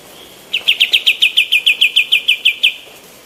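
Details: Female white-eared bulbul, recorded as training material for other birds, giving a steady run of about fourteen sharp, bright chirps, evenly repeated and all at the same high pitch, over a quiet background.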